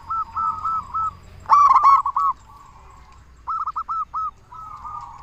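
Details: Loud-voiced local zebra dove cooing actively, a lure call meant to provoke other zebra doves to reply; short rolling phrases of rapid coo notes, one loud stuttering burst in the middle, and softer trilled phrases after.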